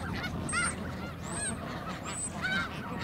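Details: Snow geese resting at Garry Point in Richmond, British Columbia, on a southbound migration stopover before winter: a flock's overlapping nasal honks and yelps, several distinct calls in three seconds over a steady low background rumble.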